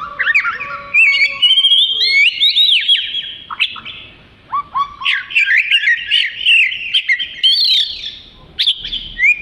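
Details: Black-and-white long-tailed Oriental magpie-robin pouring out 'gacor' song for tutoring other birds: loud varied whistles, swooping slurs and rapid twittering bursts separated by short gaps, with a few low soft notes at the start.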